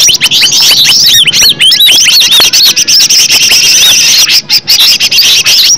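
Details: Natural recording of a green leafbird singing, played to make other leafbirds respond: a steady torrent of bright whistled loops and quick chattering notes, high-pitched and crowded, with only brief dips in loudness.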